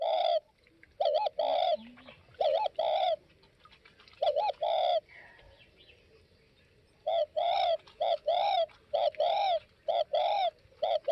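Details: Tây Bắc spotted dove giving loud, clear cooing phrases: paired short and swelling coos repeated in quick bursts, a quiet pause mid-clip, then a dense run of repeated coos in a quiet setting.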